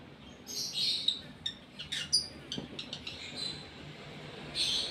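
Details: Gara lovebird in breeding condition producing scattered sharp ticks and brief high squeaky chirps, with a harsher burst at the start and another at the end.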